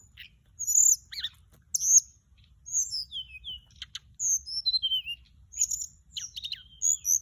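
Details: A flycatcher sings a varied lure song: piercing high whistles, quick descending slurs and clicking notes, delivered in lively phrases one to two seconds long over quiet background.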